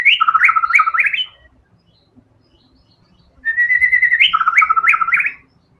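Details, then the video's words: Energetic white-rumped shama in tembakan style: two dense phrases of rapid stepped whistles jumping between two pitch levels, each phrase lasting over a second, with a soft low rumble in the gap. "TEMBAKAN MURAI BATU GACOR BONGKAR SEMUA ISIAN FULL FIGHTER"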